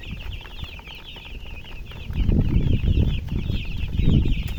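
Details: Chicks cheeping in a crowd, a band of high repeated peeps under loud low rumbling and knocking sounds that dominate the second half.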